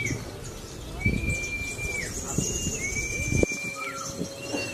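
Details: Young speckled (trotol) sogon making its contest debut at a bird-singing competition in Cilacap, Indonesia, where its loud voice won second place; long, level, high whistles held about a second each, one dipping at the end, over crowd murmur and low rumble.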